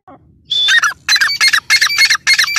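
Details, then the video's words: A female grey francolin, or dakhni teetar, gives loud, harsh, nasal notes in quick bursts of about two at a time, each burst strident and squawking, with no other sounds clearly heard. "female teetar sound"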